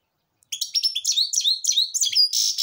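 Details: Grey-crowned goldfinch singing: a fast, lively twittering run of bright, varied chirps and slurred notes, some rising and some falling, continuing without pause for about two seconds and ending on a buzzier, rasping note.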